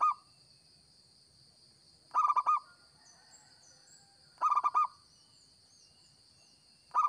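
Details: A local zebra dove sings for luring, repeating a stuttering phrase of four or five soft, round coos roughly every two seconds, four phrases in all, against a steady shrill background hum and faint distant chirps.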